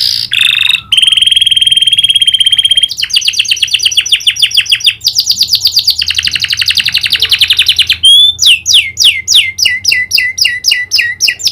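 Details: Vigorous canary song filled with prinia clicking notes: a long steady buzzy trill, then dense rattling trills, then a series of clipped sweeping notes near the end.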